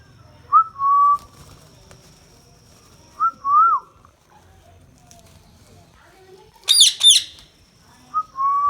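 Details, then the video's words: Indian ringneck parakeet (rose-ringed parakeet) giving clear, mid-pitched whistled notes, each a quick rising flick then a held tone, about every three seconds, with one harsh screech near the end. "indian ringneck parrot talking"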